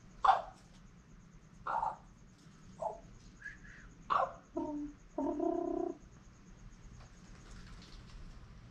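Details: Captive female common raven, a pet said to be trying to talk, possibly hello. Scattered rough calls, then a few clear tonal, stacked notes near the end, between a person's repeated hellos in a quiet room.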